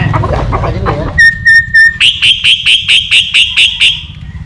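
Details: Myna whistling three clear, level notes, then a run of about ten rapid, buzzy repeated whistles over low background noise.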